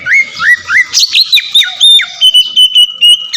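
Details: Captive Oriental magpie-robin lure song: three upward-slurred whistles, then a rush of sharp notes and a long series of clear even pulses on one pitch.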